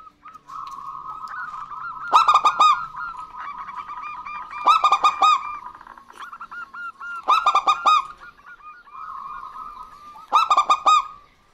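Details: Local zebra dove pair, female and male, singing in response to one another; four loud bursts of staccato ringing notes roughly every two and a half seconds over continuous softer rolling coos, with faint background hum.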